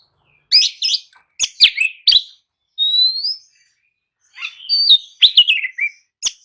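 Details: Oriental magpie-robin lure song for stirring listless birds: sharp clicks and twisting whistles, a single long rising whistle, a pause, then a rapid falling phrase of bright notes.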